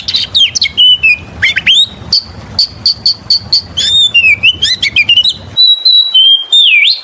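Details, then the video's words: Oriental magpie-robin song as a lure for other birds: sharp high notes repeated several times, varied whistled phrases, and long wavering whistles that dip and rise toward the end. "PANCINGAN SUARA BURUNG KACER GACOR SUARA NGEMPLONG PARAH"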